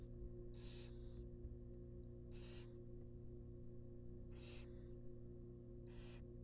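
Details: Barn owl babies in a wild nest box, fed a rabbit, make rasping hissed screeches. Some come in quick doubled bursts, with a constant low hum underneath.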